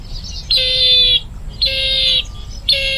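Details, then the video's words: Bronze-winged jacana calling in a series of three long, level, buzzy nasal notes, each over half a second, separated by short pauses, with a low rumble beneath. "Bronze Winged Jacana Bird Sound | জলপিপি পাখির ডাক রিংটোন | Jacana Bird Call Ringtone"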